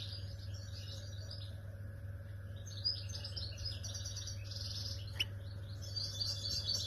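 A goldfinch sings fast, tinkling twitters in bright high bursts, phrase after phrase with short pauses, over a steady low mechanical hum.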